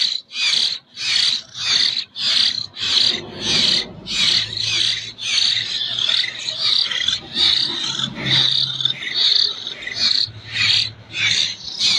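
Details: Common hill myna chick still being hand-fed in Jember, Indonesia, calling with a long run of rough, hissing begging rasps, short and rapid, over a low steady hum.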